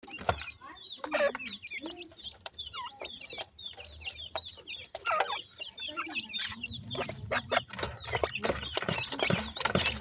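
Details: Black francolin chicks, several together, giving thin high peeping calls: short rising and falling chirps repeated in quick bursts, with sharp clicks and tapping throughout and a low background hum.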